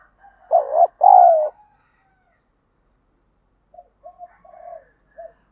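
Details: Spotted dove kept for luring and fight training: one loud phrase, a short hoot then a longer falling coo, followed after a pause by several quiet, softer cooing notes.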